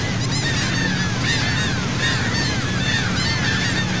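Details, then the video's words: From a sea boat at Saint Martin, Cox's Bazar, Bangladesh, numerous seagulls cry in overlapping, downward-bending squeals at an irregular pace, with constant low motor noise. "Wonderful Seagull Sound from Sea Boat"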